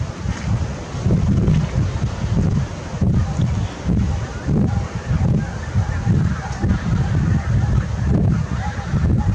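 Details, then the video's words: Goose flock recorded 8 April 2021, giving a sustained, loud chorus of low, overlapping honks pulsing about once a second throughout, over steady background noise. "Suuri hanhiparvi - Hanhi ääni"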